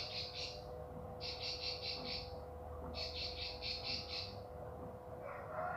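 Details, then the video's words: Bar-winged prinia singing energetically; three bursts of rapid, buzzy, evenly repeated high notes, each burst about a second long with short pauses between, over a constant low electrical hum and a faint rising whistle at the end. "Masteran Burung Ciblek Pari Gacor"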